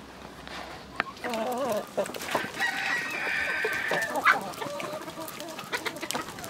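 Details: Chickens in a village: a wavering, undulating call, then a strained, high, drawn-out call with harmonics, among clucks and farmyard clatter.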